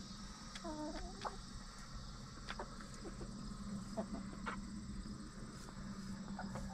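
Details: Backyard hens in a coop during the last half hour before roosting at night, settling down: soft scattered clucks and a few short wavering murmured notes early on, over a steady low hum and a constant high hiss.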